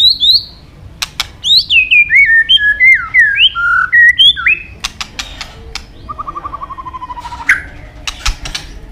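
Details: White-rumped shama training song with varied forest-style phrases: a series of sweet whistled notes stepping down, sharp clicks, then a long falling trill of rapid notes.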